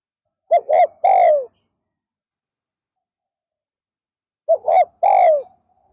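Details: Decoy spotted dove calling in an afternoon session to lure wild doves: two short hooting notes then a long, falling coo, the three-note phrase given twice about four seconds apart, otherwise silent.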